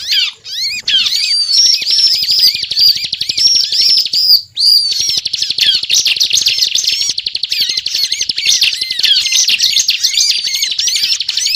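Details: Bar-winged prinia giving continuous 'ngebren' song, used as a lure to catch birds: a brief opening phrase, a short gap, then a long, dense outpouring of shrill chattering and sweeping whistled notes.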